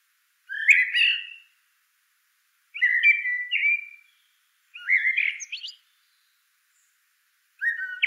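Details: Blackbird song in four short warbled phrases spaced about two seconds apart, rich fluted notes mixed with brief high clicks, and silence between the phrases.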